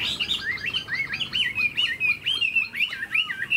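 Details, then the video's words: A tame, spread-tailed Chinese hwamei in a cage, performing eagle-style wing movements, gives a run of clear looped whistles, each note swooping up then down, repeated several times a second. "Chim họa mi thuần đuôi xòe, chơi cánh đại bàng cực đẹp"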